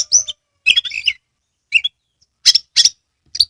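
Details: Oriental magpie-robin from Kebumen, Central Java, in a training recording for birds reluctant to sing: short, high, scratchy chirp phrases and sharp notes, broken by brief silences.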